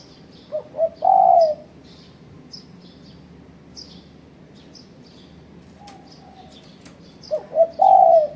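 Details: Spotted dove calling, used as a lure to challenge rivals: two short soft notes then a longer drawn-out coo, repeated twice about seven seconds apart, with faint high chirps of small birds in the background.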